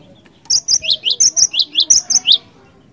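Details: Cinereous tit song in ngerol ngeplong style, used to lure other birds: a brisk sequence of about ten piercing notes swinging between a high flat pip and a lower falling chip.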